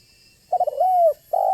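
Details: Banggo-type spotted dove calling steadily, a voice meant to lure other doves into calling and coming near; two short stuttering notes lead into a long, drawn-out, falling coo, followed by the start of another low coo.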